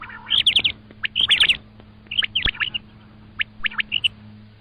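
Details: Common quail giving bursts of clipped, high whistled notes in tight clusters of three or four, with loud and softer groups alternating over a constant low hum.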